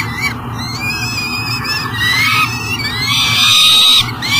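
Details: At a riverside nest box in Elk River, Minnesota, a peregrine falcon bringing breakfast at 7 am gives strained, rising and falling wailing screams, growing louder and longer toward the end, over a continuous low hum.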